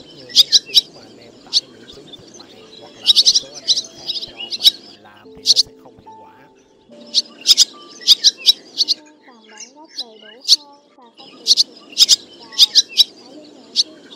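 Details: Flock call of the black, white-bellied swallow, male and female, played to draw flocks to a roost for netting: bursts of bright, high chirps in rapid runs, with pauses and a low humming, tonal background between bursts.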